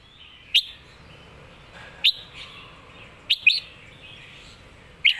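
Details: Red-whiskered bulbul of the songbird-contest type, 'master song' style: short, bright, upward-flicking whistled notes spaced about every one to one and a half seconds, one pair close together, against a quiet murmuring background.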